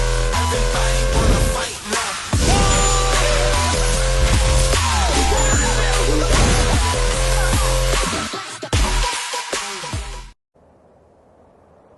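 Loud electronic dance music with heavy bass runs for about ten seconds, then cuts to faint low noise with no animal sound.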